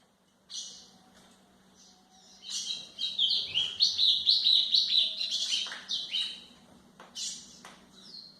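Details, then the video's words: Song of a White-throated seedeater, recorded for training young birds. Sharp opening chirps give way to a fast, loud, warbling phrase of rapid high notes about two per second, with scattered single chirps after it and a faint low hum. "canto de golinha para foquear pássaros"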